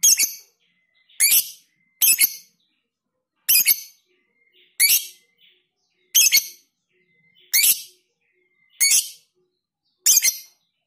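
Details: Lovebird singing in the ngekek style, described as long trills with tight gaps and used as a training recording: nine harsh, high, buzzy chattering bursts, each under half a second, repeated roughly every 1.2 seconds with faint thin tones between.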